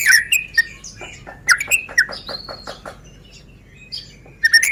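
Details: Medan-type white-rumped shama lure song for prompting other birds to sing: scattered bursts of whistles and clipped chattering notes separated by quieter gaps, ending in a sharp whistle.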